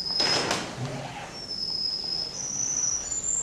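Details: A male canary, entrant no. 10 at a canary contest in Rostov-on-Don on 22 January 2011, holds a thin, high, steady whistled note for about two seconds, stepping slightly higher twice, after a brief rattling clatter.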